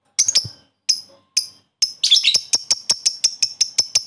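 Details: Lovebird koek calling a rival with ngekek chatter to excite other lovebirds: three sharp shrill chirps, a rough stuttering burst, then a fast even run of clipped high chirps at about seven per second.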